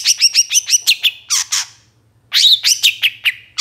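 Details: Long-tailed shrike in moult singing vigorously, used for provoking other shrikes: a quick series of about eight bright chirps, two harsh rasps, a brief pause, then more rapid scratchy notes.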